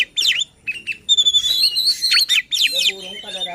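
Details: White-rumped shama song meant to rouse other shamas to sing insistently: sharp slurred notes, a long sustained high whistle, then rapid downswept notes and softer chatter.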